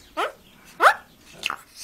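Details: A captive talking Eurasian magpie, rescued as a fledgling with a broken leg, utters three hoarse, speech-like syllables about half a second apart in a quiet room. It imitates words it learned itself, such as its name.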